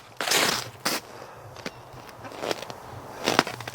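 Crunching footsteps and rustling outdoors, a few sharp cracks and scuffs spread across a few seconds, with no animal voice heard.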